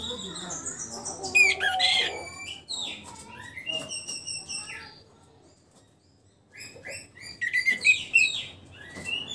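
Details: Caged orange-headed thrush just past its moult and starting to sing freely: bursts of varied, rapid whistled and chirping phrases, a quiet pause in the middle, then another loud run of high sliding notes.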